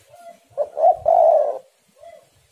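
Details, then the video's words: Spotted dove calling to stimulate other doves into song. A faint soft coo is followed by stuttered notes, a long loud hoarse coo, and a quiet closing note. "tekukur super gacor saling memanas"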